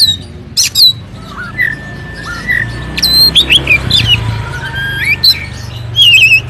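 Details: Oriental magpie-robin singing in competition style to provoke rival birds: scattered whistled notes, slurred rising and falling phrases with sharp high chips, interspersed with short bursts from other birds and a steady low hum.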